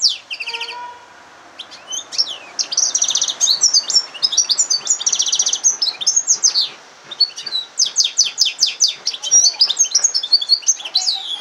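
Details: A yellow-fronted canary (Serinus mozambicus) x canary hybrid sings a long, lively canary-style song of high rapid trills, rolling buzzes and bright whistled phrases, hardly pausing.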